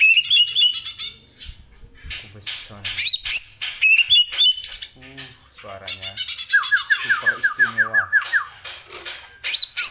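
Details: Greater green leafbird, a kept songbird, in a varied, busy song of sharp chirps, harsh squawky notes and buzzy bursts, with a quick run of rising whistled notes near the end; phrases come in uneven bursts with short pauses.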